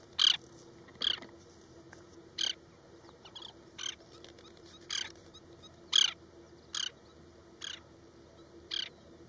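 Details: An Oriental pratincole performing a broken-wing distraction display at Osman Sagar, Hyderabad, gives about a dozen harsh, sharp, high calls roughly a second apart over a faint steady hum.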